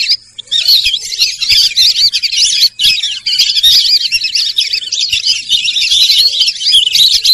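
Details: Sarail bird call, a continuous shrill twitter of quick sharp chirps and short squeaky notes, densely overlapping throughout, with a faint low murmur beneath.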